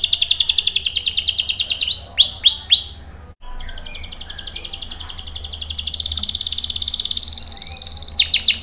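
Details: Lively canary song meant to draw out and tutor young or silent canaries. Fast high trills are interrupted by a few sweeping, curved whistles and a short break, then a long rolling trill resumes.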